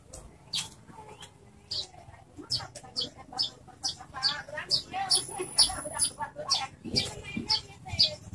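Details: Horsfield's bush lark in vigorous song used as a lure to set other birds singing: high chirps speed up into a rapid, even run of sharp notes, with a thin whistle briefly overhead and low background noise.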